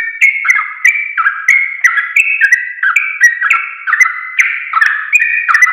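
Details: Sooty-headed bulbul song used as a training recording for caged birds: rich, bubbly whistled phrases of two or three slurred notes, rising then dropping, repeated about twice a second without pause.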